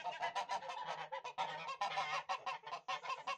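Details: Domestic Tula fighting goose, bred in Russia for fighting: continuous dense honking, harsh and nasal, many quick overlapping calls from a group with no pauses.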